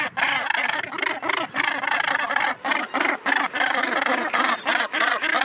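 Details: Northern gannets (Morus bassanus) at their breeding colony on the steep sea cliffs of Helgoland: harsh, grating, overlapping calls, several a second, in a dense, continuous chorus.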